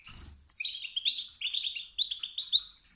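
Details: European goldfinch male uttering stimulating calls that provoke other males to sing; a dense run of quick, bright, liquid twitters and chirps, a soft low rumble at the very start.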